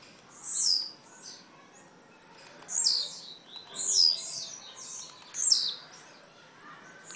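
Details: Blue-black grassquit recorded in Jacarepaguá, Rio de Janeiro, Brazil, repeating a thin, high, buzzy descending phrase about every second or so, five bursts in all, over a faint, steady background hiss.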